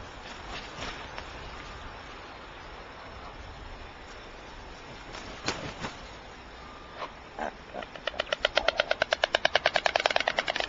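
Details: Young white storks bill-clattering, recorded 31 July 2010 at 8:34. After about eight seconds of steady rushing background noise with a few isolated knocks, a rapid, even train of dry wooden clacks begins and runs to the end.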